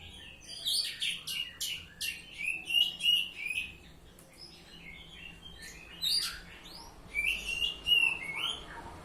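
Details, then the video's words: Oriental magpie-robin (kacer) singing in the ngeplong style: bursts of sharp high chirps and clear whistled notes, about three phrases a second, with pauses between bursts and a low steady hum behind. "Kacer Ngeplong"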